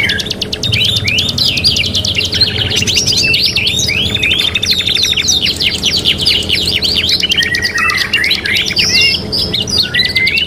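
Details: Canary, a 'kenari gacor', sings nonstop on a three-in-one training recording. Dense rattles and fast repeated notes alternate with curling whistled phrases and downward slurs, all high-pitched. Steady faint hum in the background.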